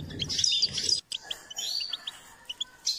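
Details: Goldfinch singing during song training: a burst of fast, high twittering notes over a low rumbling noise, then a short gap followed by scattered, separate chirps and brief tinkling phrases.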